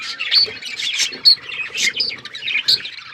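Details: Pet budgerigars at their seed chirp in short bright bursts and quick whistled notes, loud and irregular.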